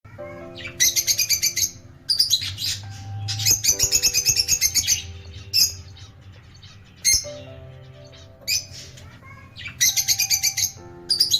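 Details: Rosy-faced and Fischer's lovebirds chattering, meant to encourage pet birds to sing: bursts of rapid, buzzy, high chirps in rhythmic pulses, separated by brief pauses, over soft background music.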